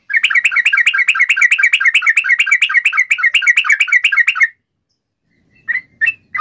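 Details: Yellow-vented bulbul in full song: a long, fast rattling run of bright chattering notes held for about four and a half seconds, then a brief pause and three or four separate sharp chirps.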